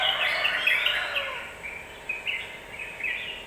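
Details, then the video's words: Lure song of a yellow-vented bulbul to make birds agitated: a loud burst of jumbled chattering warbles, then softer short phrases spaced out, each a quick bubbly flourish. "Suara pancingan burung trucukan agar cepat emosi"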